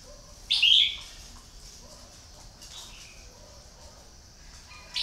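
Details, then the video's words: Lure bird, a red-whiskered bulbul that has drawn in many wild birds, sings a loud, short, liquid warbled phrase early on, then quiet with faint low calls, and a second loud note begins at the very end. "CHÀO Mào MỒI"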